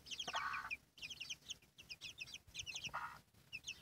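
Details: Hen and her chicks: clusters of shrill, falling peeps come in repeated bursts about every second, with two harsher, broader squawky notes from the hen among them.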